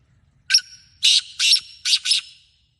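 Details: Black francolin in Sindh, Pakistan, giving a loud rasping phrase of five harsh, scratchy notes, the last two paired closely, over about two seconds, with a thin whistled tone linking the first notes.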